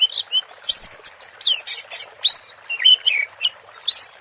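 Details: Orange-headed thrush singing in the teler style, paired with water-therapy sounds: a fast, varied stream of high whistles, slurred upward and downward notes and short chirps, packed closely without pause.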